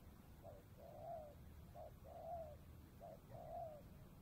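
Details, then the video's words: Spotted dove in the afternoon near the Cambodian border, recorded while trapping, singing in the bắt bổi style: three low cooing phrases, each a short coo followed by a longer, slightly rising-falling coo, over steady low background rumble. "Cu gáy | bắt bổi chiều biên giới cambodia"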